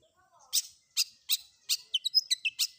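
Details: Cendet, long-tailed shrike, combination fill-in song for training: harsh, rasping broadband notes spaced about every half second, then a quick burst of thin, squeaky chirps at the end.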